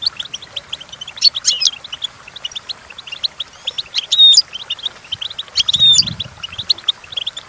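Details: Goldfinch song for training goldfinches to sing: continuous rapid high twittering with several louder bursts of sweeping, ringing notes, plus a brief low rumble near the end.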